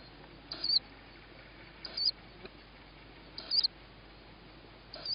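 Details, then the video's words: Tawny owl owlet begging as it hears its mother, evening of 21 May 2017 at 21:38; short high, hoarse squeaky calls repeated about every one and a half seconds over quiet background hiss. "Tawny Owl-Small hears Mom,first food for sib on roof,then feeding"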